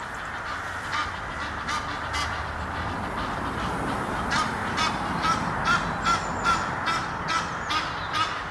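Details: A courting pair of Egyptian geese in a tree near Henley upon Thames, England, giving harsh, nasal honks. Scattered at first, then a steady run of roughly two calls a second, with constant background rush.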